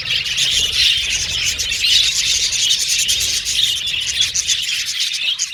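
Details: Aviary colony of budgerigars giving a constant high-pitched chatter, many birds chirping and warbling at once in an unbroken mass of sound.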